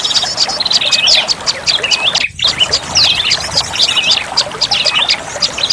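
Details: Lure call of the olive-backed tailorbird, used to attract birds: busy, shrill chattering of rapid high chirps and short slurred whistles, briefly dropping out in the middle before resuming.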